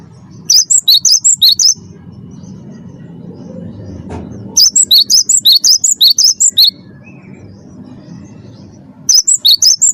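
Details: Captive Cinereous tit singing, used to provoke other caged birds into song: three bursts of quick, piercing two-pitched whistles, each lasting one to two seconds, separated by pauses with faint low background noise.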